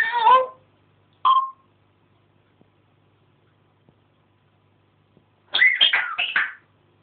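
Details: African grey parrot at home, talking and mimicking: a harmonic speech-like syllable, a short clipped whistle, then a quick run of several chattering voiced syllables after a pause.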